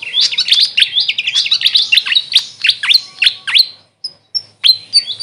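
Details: Grey fantail, known locally as Maria Capra: a fast run of squeaky, sharply rising and falling chirps for about four seconds, then a short pause and a few sparse high thin notes. No other sounds are clearly heard.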